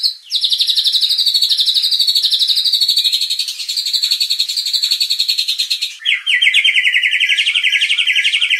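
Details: White-rumped shama sound meant to provoke contest birds, a long rapid buzzy trill held steady for about six seconds, then a lower, faster rattling trill.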